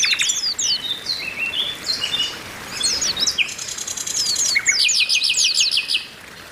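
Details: Group chorus of Oriental white-eyes (pleci), presented as females calling to rouse males: a fast stream of high, sweeping chirps and twitters, then a run of rapid, buzzy repeated notes near the end.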